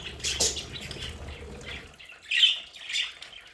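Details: Budgerigars kept at home in a play area: a scratchy squawk, then a short pause and two sharp chirps, one louder than the other.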